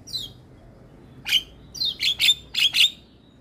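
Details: Javan myna song recorded in the morning for young mynas to copy: a high descending whistle, a pause, then loud harsh squawks with whistled overtones, mostly in pairs, against a quiet background.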